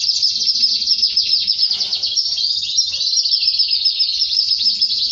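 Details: Canary singing before mating with its female: a dense, unbroken high trill of rapid pulsing notes, shimmering and fairly even in pitch, with faint low background sounds.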